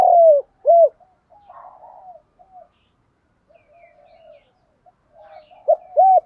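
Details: Spotted dove, 'thổ pha đồng' song style: a falling coo and an arched coo, then soft low warbling notes. The phrase closes with a clipped note and two more rounded, arched coos.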